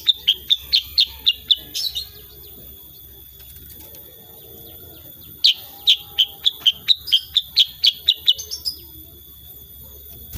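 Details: Kutilang sutra (sooty-headed bulbul) firing 'tembakan' bursts in a 'gacor' performance, recording unedited: two fast strings of about ten crisp high chirps, each about two seconds long, separated by a quiet gap, thin steady whine throughout.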